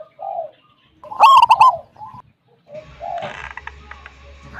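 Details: Local zebra dove with a big, frequent voice, its 'kung'-style song played to lure other zebra doves into singing; one burst of rapid, throaty coos, followed by fainter clicks and rustling noises.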